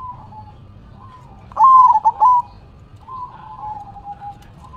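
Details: Zebra dove, head shaking as it sings in manggung style: soft level coos, then one loud rising note running into a rapid broken trill of coos, then soft drawn-out cooing again.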